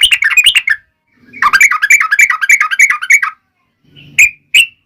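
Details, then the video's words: Yellow-vented bulbul, long rapid fighting 'ropel' song played so other bulbuls will answer: two bursts of fast, buzzy, bubbly notes followed by a couple of isolated sharp chirps. "trucukan gacor TARUNG ROPEL PANJANG pancingan trucukan agar bunyi"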